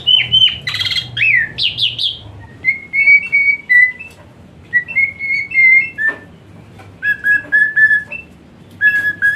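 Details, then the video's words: Asian pied starling song meant as therapy for a starling that sings lazily: a few loud rising and falling whistles, then spaced, steady whistled notes separated by short pauses. "Full Isian Mewah TEMBAKAN PANAS Khas Jalak Suren UNTUK TERAPI Jalak Suren Malas Bunyi Jadi Rajin"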